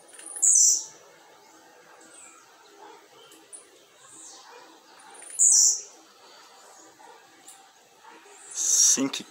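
Blue-black grassquit giving its short, high, buzzy song burst three times, about every four seconds, with a faint murmur of background noise between.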